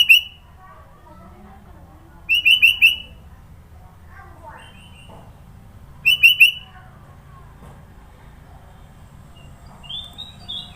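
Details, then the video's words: Sooty-headed bulbul, Sidoarjo, East Java, singing a song rich in fill notes. Clusters of three to four liquid whistled notes repeat every few seconds, and fainter softer notes are heard in between. "Burung kutilang suara isian banyak"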